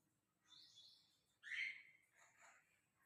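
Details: Lutino and albino cockatiel chicks: a soft, hoarse chirp, then a louder rasping chirp dropping in pitch, then a fainter one, against a quiet background.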